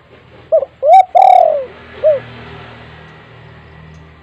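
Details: Spotted dove calling at home, its call used to prompt other doves to answer: two short soft coos, a long loud downslurred coo, then another short coo, followed by quiet background.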